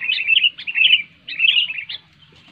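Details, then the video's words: Sooty-headed bulbul giving two bright, liquid whistled phrases, each lasting under a second, separated by a short pause; played to provoke quiet bulbuls into singing. "SUARA BURUNG KUTILANG NYARING SANGAT TEPAT UNTUK MEMANCING KUTILANG MALAS BUNYI LANGSUNG GACOR"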